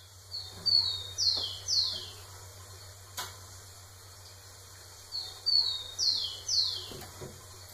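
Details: Rufous-collared sparrow singing to a female; two fairly distant phrases of high whistles and descending notes over steady hiss and low hum.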